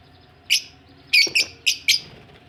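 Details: Several budgies, described as ready for laying eggs, give short scratchy chirps in quick succession, five notes within about two seconds.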